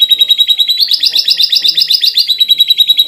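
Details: Short canary masteran passage, ornate and full of fill-ins, meant to excite rival canaries: a continuous high rolling trill of even, rapid notes, briefly rising and intensifying in the middle.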